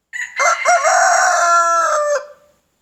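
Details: Morning crow of a rooster, one loud raspy cock-a-doodle-doo lasting over two seconds, a clipped opening syllable running into a long sustained hoarse note that trails off at the end; no other sounds.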